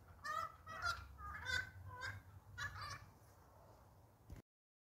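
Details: Noisy friarbirds in a backyard, recorded on a phone, give harsh, nasal, honking notes in about five bursts over four seconds, over a low background rumble.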